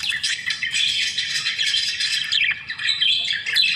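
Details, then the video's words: Budgerigars chattering together while they eat, with steady busy twittering and squeaky notes repeating irregularly, about one and a half per second. "Budgie sound"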